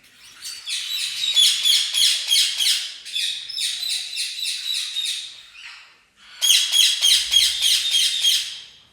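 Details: Domestic red-rumped parrot of the orange lutino colour form giving a fast, continuous chattering warble of bright, high, twittering notes in rapid rhythmic bursts, pausing briefly near the end before resuming, in a small indoor room.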